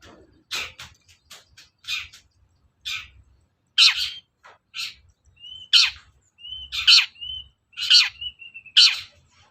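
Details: Long-tailed shrike lure recording to make caged shrikes sing: harsh rasping notes spaced about a second apart, with short level whistles slipped between the later rasps and a soft low hum beneath.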